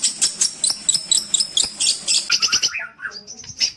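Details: Long-tailed shrike (cendet) in lively song full of mimicked phrases, used for training other songbirds: rapid high chips and sharp notes, then lower slurred whistles.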